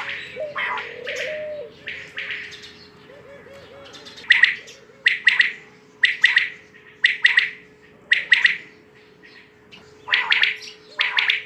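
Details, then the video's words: A long series of quail calls: crisp three-syllable phrases repeated at a steady pace of about one per second after a few softer opening notes, over a persistent background hum. "Batair k Awaz"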